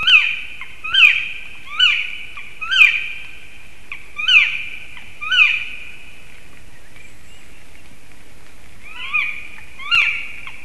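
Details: Three black woodpeckers at a black stork nest in Sigulda municipality, Latvia, 9:55 am, 30 March 2021, possibly defending territory. They give loud, ringing, high calls, about one per second in a run of seven, then two more after a pause.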